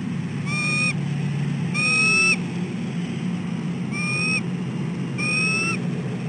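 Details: Dawn nest calls from a female bald eagle asking her mate to take over incubating the egg, December 2013; a series of four upslurred, harmonic-rich whistles separated by short pauses, with a steady low hum underneath.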